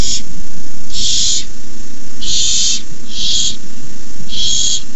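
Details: Barn owl owlets at their nest at night, 18 May 2015, as an adult arrives with a rabbit; five harsh noisy hisses of around half a second, irregularly spaced, over constant low electrical hum.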